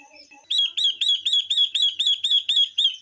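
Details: Female Chinese hwamei kept to rouse males, with a female ngũ sắc bird: soft low chatter, then a steady string of about ten bright, clipped whistled notes, evenly spaced at roughly four per second.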